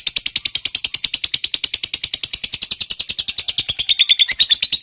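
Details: Long ngekek chatter of a lovebird fighter, used to prompt silent lovebirds to sing: an even, rapid trill of scratchy notes, about eight per second, sustained throughout.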